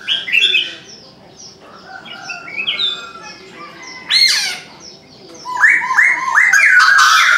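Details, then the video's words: Chinese francolin calling in the morning, a sharp loud burst midway and then a fast rhythmic run of harsh hooked notes repeated about four a second, with other birds chirping throughout. "Chim đa đa gáy sáng"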